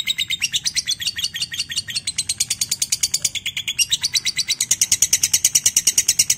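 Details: A lovebird gives a long, high, rapid chattering trill of about three notes a second, unbroken throughout, with no other clear sounds. It is used as a training recording to prompt lovebirds into long trilling.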